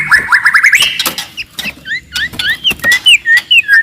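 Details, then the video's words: Wild forest white-rumped shama, loud aggressive singing to rouse rivals: a trilled rising run, then a series of short clear slurred whistles repeated about twice a second, with clicking and background noise. "KICAUAN MURAI BATU HUTAN, VOLUME KERAS, AMPUH MENAIKAN EMOSI LAWAN"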